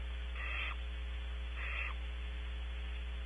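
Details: Barn owl owlet in its nest box at Audubon Starr Ranch, California, picked up by a nest cam: two brief, breathy rasping hisses about a second apart, with a constant low mains hum beneath.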